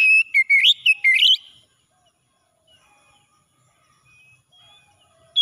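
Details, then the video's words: Oriental magpie-robin singing in the morning, meant to help stressed birds sing again: a rapid sequence of sweet, warbling whistles lasting about a second and a half, followed by quiet. "KACER PAGI PEMULIH KACER SETRES MACET BUNYI LANGSUNG CEPAT GACOR"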